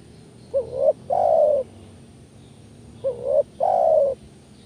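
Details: Spotted dove call used as a lure to provoke other doves into calling: two phrases, each a short rising hooked coo followed by a longer, steady, slightly falling croon, low and mellow, about two and a half seconds apart.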